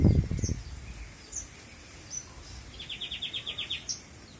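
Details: Privately kept Australasian bushlark delivering "full isian" song: scattered high thin chirps, then a fast even trill of about ten clipped notes, preceded by a loud low rustling burst at the start.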